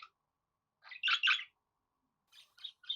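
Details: Budgerigar giving a loud double burst of harsh, scratchy chirps, followed after a pause by a few softer, quick twittering notes.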